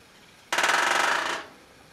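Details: Great spotted woodpecker drumming on a metal roof to proclaim territory, one fast roll lasting just under a second, the rapid blows ringing with a bright metallic clang; nothing else heard.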